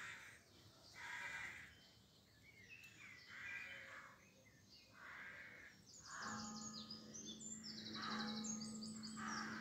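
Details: Rooks at dawn in Pulford near Chester, England, 25 May 2024. Rough caws repeat about every second and a half amid a busy dawn chorus of high trilling songbirds and a steady low hum.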